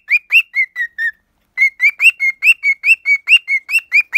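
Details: A pet cockatiel delivers loud, crisp whistled notes. A burst of five is followed by a short pause, then a steady run of about fourteen. Many notes sweep upward and then drop.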